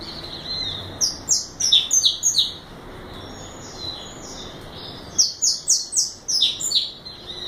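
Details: Brown juvenile saffron finch, five months old, nominate subspecies, delivering two phrases of quick, sharp, high descending chirps, each lasting about one and a half seconds, separated by a quiet gap.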